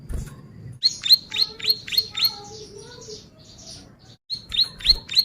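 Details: Bar-winged prinia song for tutoring and luring, fairly quiet: a short series of high, upswept chips, then faint warbling, a gap and a few more chips over a low murmur.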